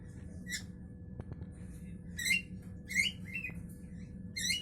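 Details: Javan myna in the morning, giving a few scattered harsh, buzzy squawks with stacked overtones, some rising at the end, over a steady low hum and faint room noise.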